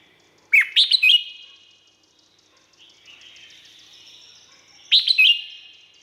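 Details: Red-whiskered bulbul, Thailand, singing for training or to rouse caged birds: two quick warbled phrases of bright chirps about four seconds apart, with a soft, drawn-out whistle between them.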